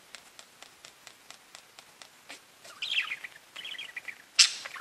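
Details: Pet budgies: a run of faint, evenly spaced ticking clicks, then a burst of warbled chirping and a sharp, loud squawk near the end.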